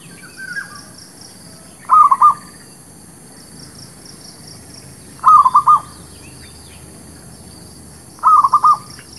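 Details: Zebra dove song used as a trapping lure: three evenly spaced phrases of three or four fast, rolling cooing notes, about three seconds apart, against a quiet background.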